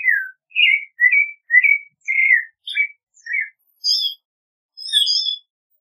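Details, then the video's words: Run of rich, caroling whistles from a Clay-colored thrush, short wavering phrases in quick succession, ending with a few thinner, higher notes. "Clay-colored Thrush Singing! Clay-colored Thrush Calling! Sound! - Zorzal Pardo Canto - Turdus Grayi"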